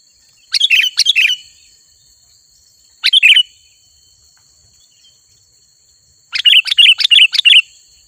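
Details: Sooty-headed bulbul giving a cheerful, chirpy song used to call in wild bulbuls: a double phrase, a lone short burst, then a fast string of five or six bright chirps, with long pauses between and a constant faint high whine.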